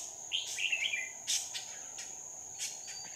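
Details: Red-whiskered bulbul heard at a trapping site on 2 May 2019, with a decoy drawing in wild birds: one short warbled phrase, then sharp clicks and taps against a constant high-pitched insect drone.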